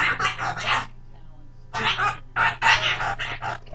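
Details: Thirteen-year-old male Goffin's cockatoo chatters in harsh, speech-like bursts, two runs of rapid syllables separated by a brief pause, over a low steady household hum, talking in his own made-up language.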